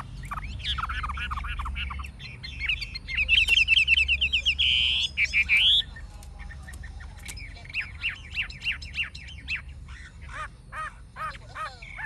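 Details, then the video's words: Chinese hwamei, an old wild-caught bird with a forest-style voice, sings a loud trilled whistle that climbs at its end. Varied downslurred notes come before it, and sharp staccato chips follow, over a low background hum. "Họa mi già rừng chuẩn giọng rừng hay"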